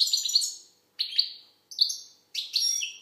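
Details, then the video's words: Algerian goldfinch singing four short bright twittering phrases about a second apart, each a burst of high, slightly buzzy notes that fades away with a ringing echo. "Chardonneret algérienحسون. مقنين"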